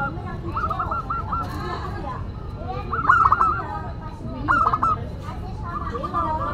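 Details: Zebra dove of local stock in full song, classic and unusual in style: several short stepped coo phrases spaced a second or more apart, with louder overlapping phrases near the middle, against low murmuring background noise.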